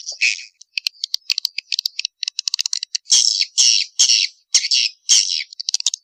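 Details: Lure call of swiftlets, a mating call used to attract the birds: scattered quick clicks and short chirps, then a row of loud buzzy, rasping notes about every half second.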